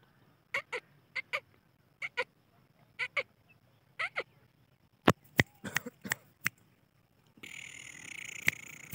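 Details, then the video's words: Black francolin calling: short, harsh notes in pairs and small groups, repeated every second or so, then a run of sharper clicking notes, ending in broad rushing noise. "kala teeter ki Awaz/Black teetar ki Awaz"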